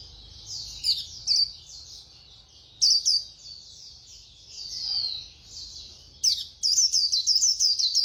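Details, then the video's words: White-eye in fast, rapid-fire singing: high thin twittering bursts of quick falling notes, broken by short pauses, with a quiet background. "Khuyên Líu Hay _ Mau Mỏ _Tốc Độ _Tiếng chim Khuyên Líu"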